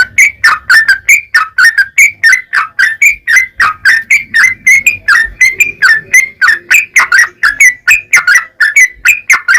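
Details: Vigorous long-phrased yellow-vented bulbul song, played to make other bulbuls sing: a rapid, continuous run of loud liquid chirps, about four notes a second, each with a crisp clicking attack.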